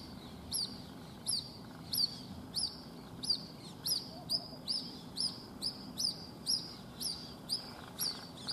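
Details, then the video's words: Lone white-breasted waterhen chick, Rajasthan, India, unable to follow its mother over a wall; about thirteen sharp, high, descending peeps spaced roughly two-thirds of a second apart, over quiet background noise. "Waterhen baby calling"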